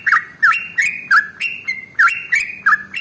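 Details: Trucukan (sooty-headed bulbul) singing its long 'ropel' song as a lure: loud, bubbly whistled notes about three per second, each opening with a sharp flick and a level whistle between.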